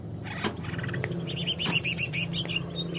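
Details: A cucak ijo, or greater green leafbird, sings jamtrok wik wik: clusters of bright high chirps and a rapid string of repeated notes, set against a low humming background.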